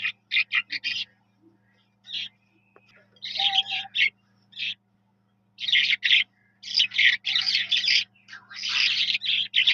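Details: Jal Mashadi, the Eurasian skylark, opens with short clipped notes, then after a quieter patch breaks into longer runs of bright, twittering, high warbles, a faint hum beneath throughout.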